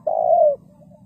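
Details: Spotted dove lure call for trapping: one sustained low coo lasting about half a second, over a low background hum.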